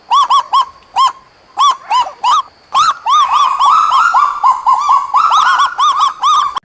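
Kagu giving a run of short, sharp, barking yelps, about two a second, growing denser as the notes begin to overlap in a rapid, yapping chorus.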